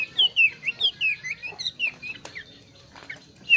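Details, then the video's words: Bush warbler in full, varied song: a rapid run of clear, high, downslurred whistled notes, about five per second, over the first two seconds, then softer scattered notes, a sharp click, and one last bright whistle. "Burung Plenduk Semak Gacor dorr !! suara bervariasi"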